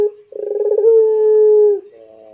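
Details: Captive Barbary dove of the pelung kind giving a single long coo. It begins with a stuttering pulsed roll and smooths into a sustained, even, hollow tone, followed by a soft wavering note.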